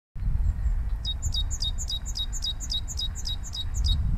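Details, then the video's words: In spring, a great tit sings a quick, high two-note phrase, bright then lower, repeated about three times a second over a steady low rumble of wind or distant traffic. "süße Kohlmeise zwitschert"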